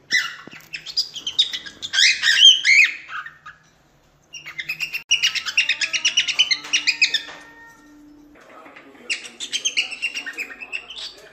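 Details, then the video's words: A cockatiel sings a training song for teaching chicks: three bursts of rapid, chattering whistles and warbles, high and busy, with short pauses between phrases. "CALOPSITA CANTO TREINAMENTO PARA ENSINAR FILHOTES - CANTO DO PÁSSARO CALOPSITA ENSINANDO FILHOTES"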